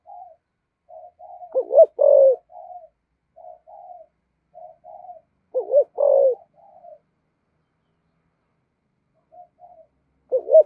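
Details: Spotted dove cooing in the giọng thổ style, a thúc gù coo: soft low murmured notes broken by two-part throaty coos that rise then drop, spaced several seconds apart with quiet gaps between.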